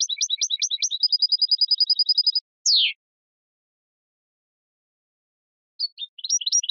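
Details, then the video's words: European goldfinch song: jerky chirps flow into a fast, even buzzy trill, then a single descending sweep, a long silence, and the twittering resumes. "من أقوى تغاريد طائر الحسون الجميلة"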